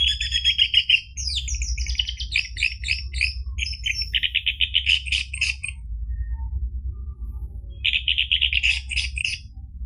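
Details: Song of a caged orange-headed thrush, used to coax another bird into singing: dense rapid warbling and trilled phrases, a quieter gap, then a buzzy trill, with low background hum.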